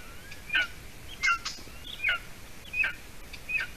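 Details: Golden eagle chick, seven weeks old, at a Latvian nest on 30 June 2020 in the evening as the female adult arrives with food; sharp high whistles sliding downward, five calls in under four seconds.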